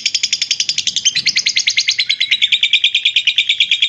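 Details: Continuous lovebird ngekek, a chatter used to train other birds: quick repeated high, scratchy notes in a rhythmic stream, stepping slightly lower in pitch partway through.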